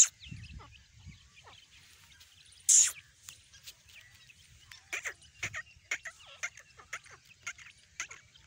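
Grey francolin chicks give thin, high, short peeps in loose irregular bursts, with one sharp loud rustle or knock partway through.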